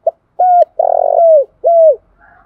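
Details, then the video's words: Decoy song of a spotted dove, used to lure wild doves into traps. A brief opening note leads to a steady mellow coo, a long throbbing coo sliding down at its end, and a closing coo, all clean and close. "tiếng cu gáy mồi chuẩn Gáy Gọi dùng kích bổi hiệu quả"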